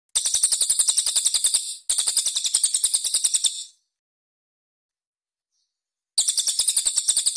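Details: Playback master of cililin rough song with tight spacing, used for training young competition birds: two quick, shrill, rattling trills with a short break between them, a long pause, then another trill of rapid high pulses.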